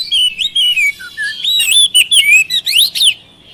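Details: Oriental magpie-robin bait recording for coaxing lazy birds to sing; clear descending whistles and short notes, then loud fast whistled phrases with steep upward sweeps.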